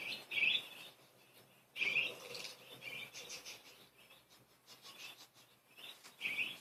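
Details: Playful pet budgerigars: loud, bright chirps at the start, after two seconds and at the end, linked by softer, scratchy high twittering.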